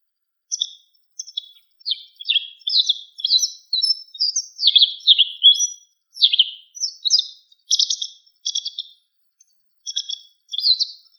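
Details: White wagtail giving a long, steady run of bright, high chirps, some with downward slurs, repeated roughly twice a second with only brief gaps; quiet background.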